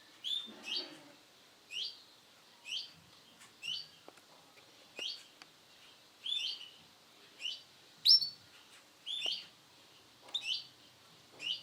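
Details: Male canary of the sunkist colour variety giving short, bright chirps that rise and fall in pitch, repeated roughly once a second, with faint clicks and rustling between the notes.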